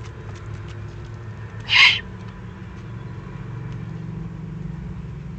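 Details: A lone harsh hissing begging call from an excited juvenile eagle-owl, Eifel, Germany, 21 June 2020, heard near the two-second mark amid continuous low engine-like rumble.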